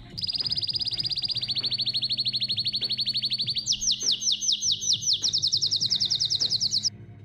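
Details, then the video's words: Belgian canary song with a long, even rattle of rapid high notes lasting over three seconds, then a slightly higher phrase of sweeping repeated notes that ends abruptly, over quiet music. "Os Melhores Cantos dos Canários Belgas"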